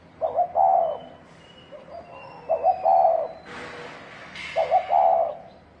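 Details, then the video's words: Spotted dove calling while fighting: repeated soft, throaty coo phrases, each a quick double note then a longer rolled coo, over a background of faint high whistles and a brief burst of noise. "Tiếng chim cu gáy thổ đồng kích trống kích bổi đánh nhau"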